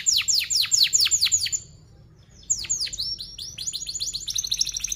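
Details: Canary lure song for young canaries learning to sing: a run of loud sharply falling chirps, a brief pause, then quicker downslurred notes merging into a rapid high trill.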